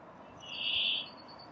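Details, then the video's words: On 29 April 2019 in Lindgårdsskogen, Haga, Sweden, a migrating Brambling resting before heading to northern mountains to breed gives its monotonous song: a single drawn-out, nasal, buzzy wheeze held over half a second. "Bergfink spel-sång"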